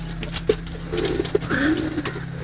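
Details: Pigeons inside their loft at feeding time: soft, low, rolling coos, one drawn-out and wavering, with short muffled coo notes before it, over a steady ambient music drone and light scratching.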